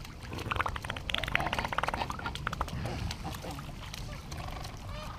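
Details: King penguins (Aptenodytes patagonicus) in a colony standing in a glacial river at Gold Harbour, South Georgia, give brief, trumpeting, buzzy calls over each other, with a steady rush of flowing water underneath.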